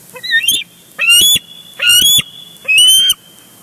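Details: Nest-cam recording of bald eagles on Big Bear Lake, June 2022. One bird crashes into another that has brought a big fish and grabs it. One quieter note, then three shrill harmonic chittering bursts spaced under a second apart.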